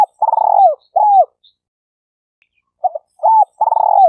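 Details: Cooing of a spotted dove, played to lure birds: a purring rolled coo followed by a shorter falling coo, a pause, then a new phrase starting with brief low notes and another rolled coo.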